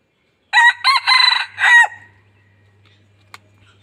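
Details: Red junglefowl decoy crowing in Laos to draw in other fowl: a quick four-syllable harsh crow lasting about one and a half seconds, followed by quiet and a single faint click.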